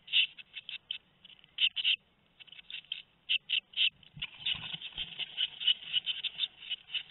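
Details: Tit nestlings two weeks old, 13 May 2019; rapid high buzzy begging notes in clusters, sparse at first then becoming a near-continuous chorus after four seconds, with a few soft knocks.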